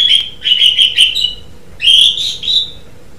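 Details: Gacor-style song of an Asian pied starling: two bursts of rich, slurred whistles with harsh overtones, the second starting after a brief silence, over a faint constant hum.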